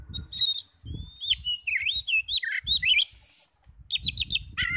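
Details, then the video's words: Lure recording of Oriental magpie-robin song meant to stir rival magpie-robins into singing: a long varied stream of sweet whistles, rising and falling slurs and fast notes, with low thumping noise beneath. "PANCINGAN NAIKAN EMOSI KACER 100% IKUT NYAUT NGEPLONG"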